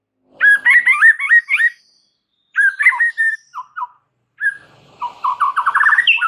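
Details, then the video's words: Murai batu, the white-rumped shama, in full energetic song with its repertoire of fills: bursts of quick looping whistles, short rich phrases separated by pauses, ending in a rapid rising trill of clipped notes. "Murai Batu GACOR BONGKAR ISIAN"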